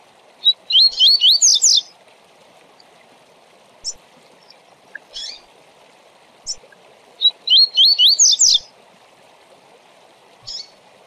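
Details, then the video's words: Tui Tui Zel Zel song from a Double-collared seedeater, used for training tournament birds: two full phrases about seven seconds apart, each a quick string of looping whistles ending in a buzzy flourish, with short buzzy notes between. "Tui Tui Zel Zel para Encarte e Manejo de Papacapim e Coleiro de TORNEIO!!!"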